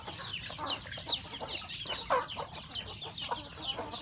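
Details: Chickens feeding on breakfast at a rural home, with roosters and hens; scattered high downward peeps and short clucks arrive unevenly, with one louder, lower squawk midway.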